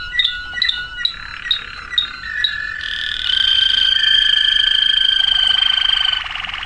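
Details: Waterslager canary singing a series of short clipped notes, then shifting into a long sustained rolling trill with steady, bell-like tones held for several seconds.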